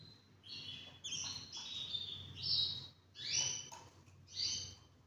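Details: Two-year-old male half frill Spanish Timbrado canary sings quick repeated high trilled notes in pulses roughly once a second, bright and metallic, with a low hum behind.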